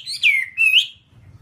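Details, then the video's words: Whambie song from a long nonstop master recording meant to train captive birds to sing. Two clear slurred whistles, the first falling and the second rising, followed by a quiet low hum. "Masteran Whambie nonstop 1 jam"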